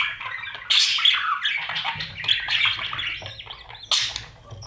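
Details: Budgerigar babies in a nest box calling during feeding by parents; two sharp rasping bursts frame a steady run of softer scratchy chatter.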